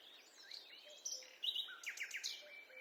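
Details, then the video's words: Short burst of forest birdsong on a walk: slurred whistles and quick high chirps overlap, building into louder sharp notes, with faint low tones in the background. "A peaceful walk in the forest accompanied by the sound of birds"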